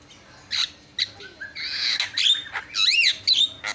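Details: Javan myna singing steadily for a tutoring recording: scattered harsh squawks and sharp clicks, then looping, wavering whistles that rise and fall, ending with a couple more sharp squawky notes.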